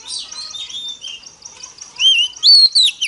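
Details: A female Oriental magpie-robin, whose voice is used to excite males, gives soft, quiet warbling and then a loud, clear, wavering whistle that rises and falls.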